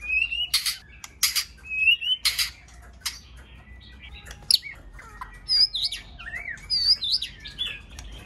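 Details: White-rumped shama song meant to stimulate shamas. Loud buzzy rasps alternate with short high whistles, then a quieter run of thin, twisting whistled notes.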